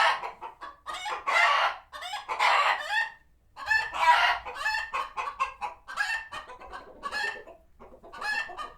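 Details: A flock of chickens at a farm sanctuary, alert after a hawk was spotted nearby, giving loud, harsh, excited clucks and squawks in overlapping bursts, with a brief lull near the middle before the clamour resumes.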